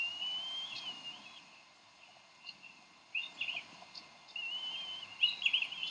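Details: Decorah nest, 30 May 2012: a bald eagle pair argue over a fish while feeding their eaglet. High, thin wavering whistles come in short bursts, louder clustered squeals near the end, with constant low hiss.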